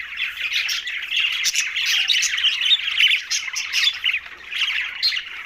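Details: Green budgerigars at a meal fill the air with steady, harsh, buzzy chatter and quick high chirps, rising and falling in loose waves.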